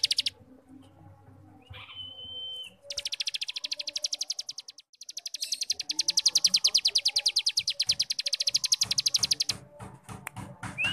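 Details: Cigun starling singing ngebrem as a tutor for young birds: a brief level whistle, then long stretches of dense, rapid, rattling high pulses.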